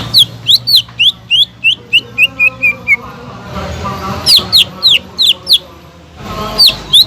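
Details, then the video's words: Greater green leafbird kept as a cage bird repeats sharp high notes that gradually drop in pitch across a series, then resumes with brisk, higher chips after a pause. "PANCINGAN CUCAK IJO GACOR EFEKTIF MENAIKAN EMOSI CUCAK IJO MACET BUNYI"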